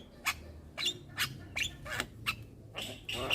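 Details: Young black-winged myna singing without stopping while bobbing its head, a series of short sharp chips and clicks about every half second, ending in a harsher rasping note.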